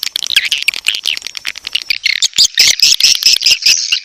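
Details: Edible-nest swiftlet mating call, used to attract swiftlets to a nest house: dense, rapid twittering and buzzy chirps, high-pitched and overlapping, with sharp clicking notes throughout and a busier, louder chorus in the second half.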